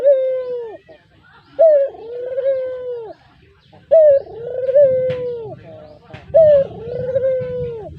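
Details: Brown Barbary dove, a cage bird whose call serves as a lure, uttering regular soft coos with a brief higher start and a long descending note, plus low rumbling noise in later calls.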